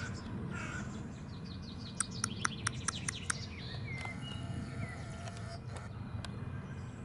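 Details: A common blackbird that seems to imitate a turkey gives a quick run of sharp, clicking notes, about seven in just over a second, then softer scattered chirps over a steady low outdoor rumble.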